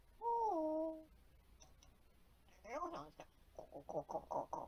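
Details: Pet African grey parrot indoors, talking while anticipating its owner's return home; one smooth two-toned whistled note, then a run of quick speech-like syllables and chattering sounds, fairly quiet in a small room.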